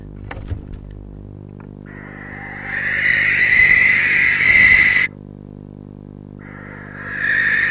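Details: Barn owl pair at night, 2:18 am on 20 January, possibly showing pre-mating behaviour, the male perhaps interested in the female; a harsh, hissing screech lasts about two and a half seconds, another begins near the end, over a steady low hum.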